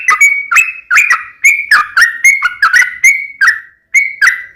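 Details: Sooty-headed bulbul singing the lively 'tarung uplik ropel' fighting song. Clear whistled notes climb and drop in a rapid uneven sequence of about a dozen notes, with one brief pause near the end.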